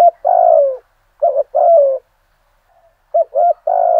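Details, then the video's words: Decoy spotted dove singing a full song in the Vietnamese 'giọng thổ' style at first light to provoke rivals; three low coo phrases, each two quick notes then a long, falling, slightly buzzy coo, with short silent gaps. "Chim Cu Mồi Giọng thổ đủ bài"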